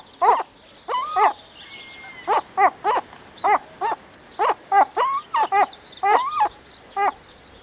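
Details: Herring gulls in a breeding colony: a steady series of harsh, yelping calls with rising, bent inflections, about fourteen in under eight seconds, plus one thin drawn-out whistle, with overlapping callers.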